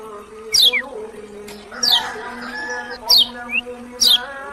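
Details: Lemon-bellied white-eye from Lombok, locally kecial kuning: four loud high whistles, each sliding steeply downward, spaced a little over a second apart, plus one short rising note, over steady low background tones.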